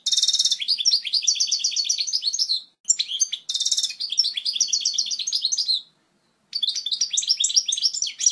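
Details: Strong, clear European goldfinch song for tutoring chicks. Three rapid phrases open with a harsh buzz, then run into fast liquid twitters that slide downward, with brief pauses between them.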